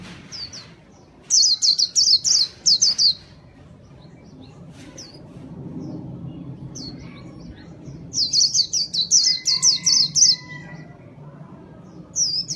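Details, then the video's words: White-eye chirping used as a lure: two dense bursts of quick, high, downslurred notes separated by quieter stretches with isolated chirps and soft background noise, ending with a lone call. "Kicau pleci gacor paling ampuh buat pikat"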